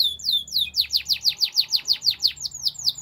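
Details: Morning song of a Belgian canary: a string of clear downslurred whistled notes repeated about five times a second, bright and ringing, with a faint low hum beneath.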